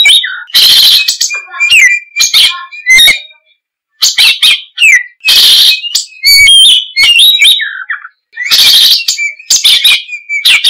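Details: Vigorous ngoceh gacor song of a kacer, or oriental magpie-robin: loud harsh rasping bursts alternating with sweet whistled notes and quick trills, nearly continuous with only short gaps between outbursts.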